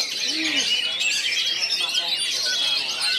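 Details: Three Oriental magpie-robins gathered around a champion bird called Rambo pour out a dense, nonstop tangle of sweet high whistles and rapid chattering phrases, with voices overlapping and a brief low coo early on.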